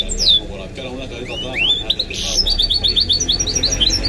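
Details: Singing goldfinch × canary mule: a few rising whistled slurs open the phrase, then a fast, evenly pulsed series of sharp chirping notes follows, with low background noise throughout.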